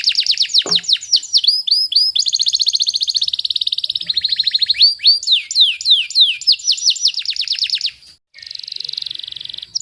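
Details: Tutor recording of a canary singing in the close 'tembakan rapat' style for training birds at home: loud, high, nonstop song of rapid sweeping notes, dense rattling trills and rolls, with a brief pause before a final trill.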